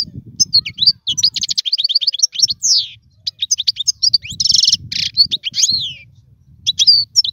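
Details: Goldfinch song meant for teaching chicks to sing: lively twittering runs, descending slurred whistles and a loud buzzy burst, in phrases broken by short gaps, with a low background rumble.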